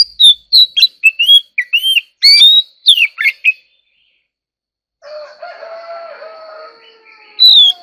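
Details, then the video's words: White-rumped shama in competitive singing: loud, varied whistled phrases, some rising and some falling, given in quick bursts for about three seconds, then a pause, then a lower, drawn-out harmonic call with a faint high whistle at the end. "choè than kích hót || choè than hót đấu"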